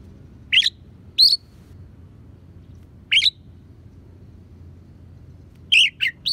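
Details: Oriental magpie-robin with sparrow and prinia imitations in its song, recorded for training songbirds: a few sharp high chirps spaced a second or more apart, ending in a quick cluster of three notes.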